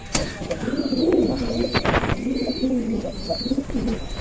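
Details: Caged male Giribaz pigeons from Rajshahi, Bangladesh, calling constantly and fighting at feeding time; a steady run of low rolling coos rising and falling in pitch, with sharp clicks and wing or cage knocks and faint chirps.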